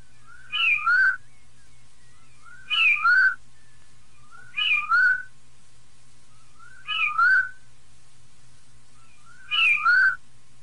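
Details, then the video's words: Rufous-bellied thrush singing the Piedade song style, played to warm up a pet bird: a short whistled phrase of rising and falling fluty notes, repeated about every two seconds in five bouts, with a faint low hum behind. "Sabiá Larangeira Piedade Canto puro para esquentar seu pássaro."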